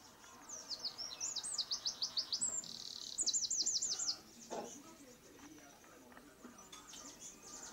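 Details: Eurasian wren singing two rapid bursts of high repeated notes joined by a buzzy rattle, then softer scattered sounds over the last few seconds.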